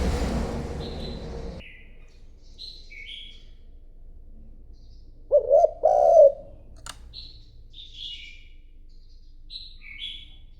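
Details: Decoy spotted dove cooing to draw rival doves: a short series of low, rounded coos in the middle. Higher, thin chirps from other birds recur throughout, and a rustling noise opens the recording.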